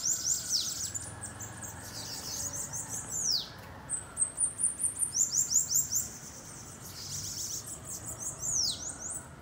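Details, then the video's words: Bananaquit campeada: repeated bursts of very high, buzzy, rapid notes, each phrase ending in a sweeping arched slur, separated by short pauses. "PRA DEIXAR QUALQUER SIBITE LOUCO 😱 Campeada com Sibite"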